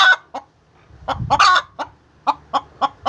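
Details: Hen calling while laying eggs: short clucks at irregular intervals broken by a few louder, broader squawks, with a low rumbling background between notes.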